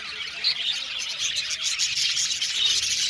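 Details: Short stretch of aviary budgerigars chattering, many high chirps and warbles overlapping without a break.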